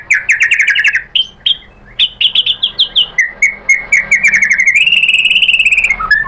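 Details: White-rumped shama singing as a lure meant to rile a rival bird into replying. Rich whistled notes repeated in quick succession, falling to a steady run of short pips, then a sustained, higher rolling trill.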